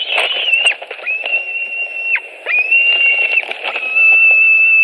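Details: White-tailed eagle eaglet at a nest in Latvia, 25 July 2018, an adult arriving with carrion: a long, thin, steady whistle held for several seconds, broken by soft clicks and rustling at the nest.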